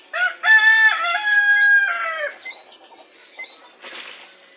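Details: Yard chickens making a fuss at roosting time, calling a lot before sleep: a loud sustained crow-like call with steady harmonics lasting about two seconds, followed by quieter clucks and a brief rustle.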